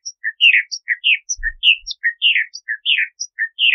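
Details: Bahama mockingbird singing quickly and without pause, a rich sequence of varied warbles, chirps and short high notes, each phrase different from the last.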